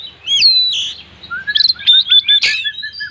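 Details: Kacer, or Oriental magpie-robin, in an energetic burst of full-isian song: a loud descending whistle, fast stuttered chips, bright whistled notes, and a low run of short warbles.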